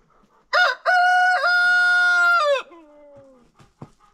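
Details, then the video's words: Rooster crowing on a farm during an unofficial daily crowing contest held after breakfast: a short opening note, then a long harmonic, steady crow about two seconds, falling off at the end, followed by soft clucking. "roosters crowing.... contest"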